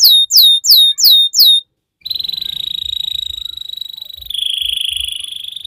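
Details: Young canary song in a long training recording: five loud sweeping notes, a brief pause, then a steady high buzzy roll that drops slightly in pitch.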